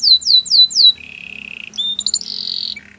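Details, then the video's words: Canary singing four loud down-slurred whistles, then a steady low buzzy trill, rising notes and a high rolling trill, with a faint low hum in the background. "Canary bird sounds at it best"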